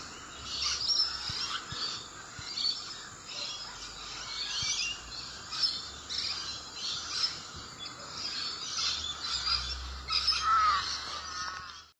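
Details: Musk lorikeets chatter constantly while feeding on eucalyptus flowers: overlapping shrill, high screeches and squeaks in dense, rolling bursts, with a brief clearer whistled note near the end and a faint low rumble beneath.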